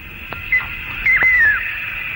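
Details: Malaysian eared nightjar hunting insects high in the air over the Malaysian rainforest at daybreak or dusk, late 1950s to early 1960s. Its clear, melodious 'tapy bow' call is a short whistle followed by a longer descending note, with a steady insect drone behind.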